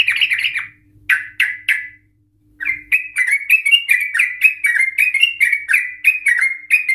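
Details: Trucukan, or yellow-vented bulbul, in ngikluk-style song used to provoke other birds into ropel. A handful of bright chirps is followed after a pause by a steady, flowing run of warbled, rising-and-falling notes.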